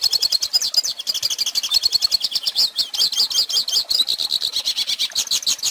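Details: Goldfinch in continuous song, recorded to train young birds: bright, rapid twittering with rolling trills and sharp high chirps throughout.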